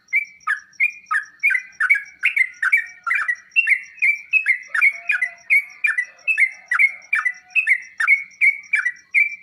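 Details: Sooty-headed bulbul singing, used to prompt kept birds to answer: a brisk string of short liquid notes, each a quick drop into a steady whistle, repeated about twice a second, with a faint steady high pulsing tone.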